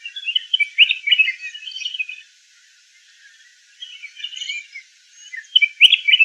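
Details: Red-whiskered bulbul chattering in quick, warbled phrases of short whistled notes. A near-silent pause separates two bursts, and the bird ends with a louder final flurry.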